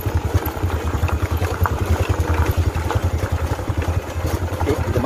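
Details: A motorcycle engine idles and chugs steadily outdoors with some clatter, and no animal voice is heard.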